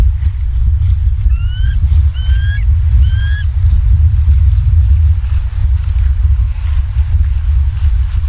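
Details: Bald eagles at a nest in Southwest Florida, recorded 28 October 2022 at 19:15: three thin, upward-slurred whistled notes in quick series near the start, then only strong rumbling wind.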